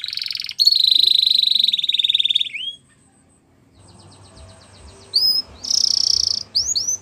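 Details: Canary singing meant for training young birds: a long rapid buzzy trill, a pause, then scattered chirps, another dense trill and rising whistled flicks, over faint low background hum.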